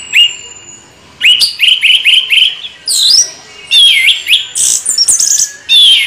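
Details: Orange-headed thrush singing in the continuous rolling ngeroll bocor style, starting with a row of clear, mid-high whistled notes repeated evenly, then breaking into louder, rapid, mixed high phrases and slurs.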